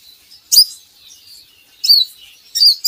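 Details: Van Hasselt's sunbird recorded for training captive birds to sing: three short, high, thin twittering phrases spaced about a second apart, with a faint high trill between them.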